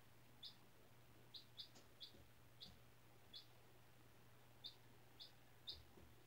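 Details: Young chick, four days after hatching in a classroom incubator, on fresh bedding: a run of about nine thin, high, clipped peeps spaced unevenly, some doubled, with low background hum.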